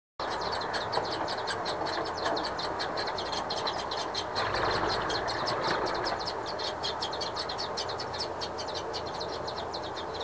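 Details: Four young chimney swifts (Chaetura pelagica) being fed by a parent in Glenham, NY, on 07/08/2008 give a continuous rapid, raspy begging chatter and ticking, many notes a second, over a steady hiss.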